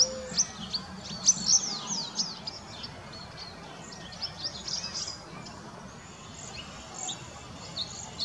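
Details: Group of about 35 cedar waxwings in a bare tree looking for berries; bursts of very high, thin, buzzy whistles cluster early, then thin out to scattered faint notes over low background noise.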